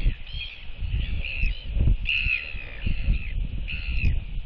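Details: Northern royal albatross pair at the nest greeting one another with skycalls to reaffirm their bond; several hoarse, drawn-out braying notes repeated roughly every half second to second, over steady low wind noise.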